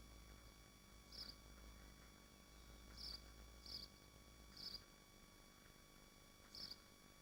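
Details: Swifts at their nest site in Machynlleth, Dyfi Biosphere, utter five brief piercing chirps across seven seconds, three bunched mid-clip, over a low droning hum.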